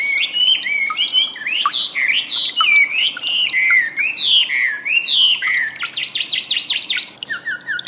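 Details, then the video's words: Wambi singing in master recording for cage-bird training: continuous loud wandering whistled phrases rising and falling, ending in a fast burst of rapid upslurred notes and short falling chirps. "suara burung wambi || masteran audio pancingan"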